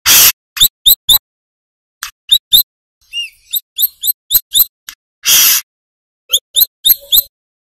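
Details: Brown-throated sunbird of the manggar type, an active singer recorded as training material for other birds. High, thin chirps in short rapid series and a few softer twittery notes, with loud hissing rasps at the start and midway.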